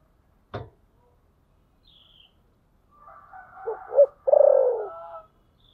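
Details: Spotted dove giving its thổ sấm style coo: a quiet click, then two short hoots and a long resonant coo. A distant rooster crow overlaps the start of the coo.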